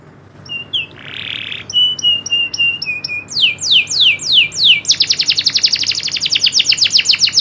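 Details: Local canary singing a rolling, shooting style of song: high thin whistles and a brief harsh buzz open into falling whistled sweeps, then a fast, continuous high rolling trill of rapid repeated notes.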